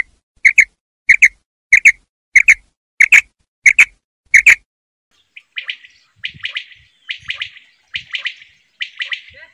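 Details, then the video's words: Common quail calling at night: paired sharp clipped notes repeated about every 0.6 seconds, seven times in a row, followed by a softer, rougher run of rasping phrases. "Batair ki awaz rat ki awaz"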